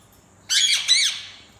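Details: Pet talking parrot said to speak Urdu, kept indoors, letting out two harsh, bright squawks in quick succession in a small room, the second slightly higher; a person hushes it just after.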